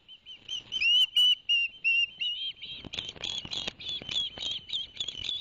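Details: Barnegat Light ospreys on 11 September 2021, after two fish were brought to the chicks: piercing whistled upslurs in a run, then quicker, rougher chirps over faint rustling.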